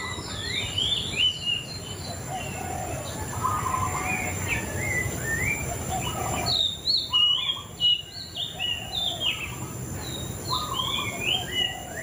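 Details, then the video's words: Long, continuous white-rumped shama song of many quick whistled and warbled phrases, some upslurred, some downslurred. A dense middle section is followed by loud crisp notes, over background hiss. "Suara Burung Murai Cacing"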